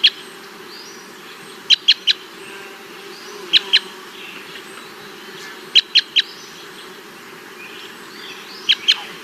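Cassia Crossbill giving short, hard kip notes in quick pairs and triplets, repeated every two seconds or so, fairly low-pitched for a crossbill, over a steady low hum.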